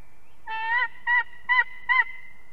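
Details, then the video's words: Eagles of an unringed adult pair at their nest in Ķemeri, Latvia, on 8 March 2024 at 6:01 am, filmed by a nest camera during arrival and mating. Four short, harmonic, yelping notes come about every half second, the first drawn out, over a faint steady tone. "Ķemeru Eagles~🎵 Morning Chorus, Arrival Mating & Singing💞"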